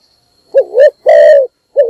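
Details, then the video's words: Decoy spotted dove giving a morning call meant to attract other doves: a wavering two-part coo followed by a long, steady, deep coo, then the start of another short note. "นกพิราบดัง birds - เสียงนกร้องตอนเช้าเพื่อเรียกนกของคุณ"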